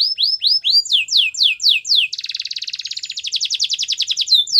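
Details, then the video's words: Canary song played for training a Belgian canary: a run of rapid descending whistled sweeps, about four per second, then a dense, buzzy rolling trill and a final sweep. "The most popular canary training!! Your belgian canary will sing a lot"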